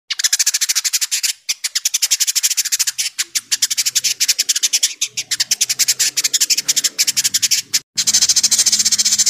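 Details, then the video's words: Village indigobird giving crecetan, a sharp, tightly packed chatter used as tutor song for magpie-robins: a long run of rapid, harsh, buzzy pulses, about ten a second, broken by two short gaps. "Suara burung indigo crecetan tajam"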